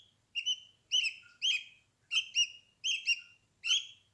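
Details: Young budgerigars cuddling with their mother and siblings inside the nest box emit rasping, slightly descending chirps, often paired, spaced about half a second apart; no other sounds stand out.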